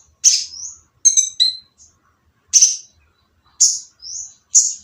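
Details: A purple-throated sunbird sings roughly to coax other quiet sunbirds into song. Scattered, piercing, high chips, a brief buzzy triple note, and short upslurred whistles, separated by pauses of up to a second.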